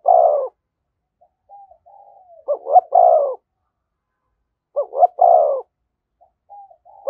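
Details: Spotted dove giving the thúc gù call close to a decoy bird: two quick clipped notes then a long throaty coo, repeated, with soft lower cooing murmurs between phrases.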